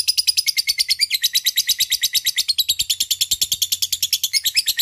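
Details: Lovebird in long ngekek, a lure to make a rival answer: a rapid, rasping, high chatter of harsh notes, about three per second, running without a break throughout.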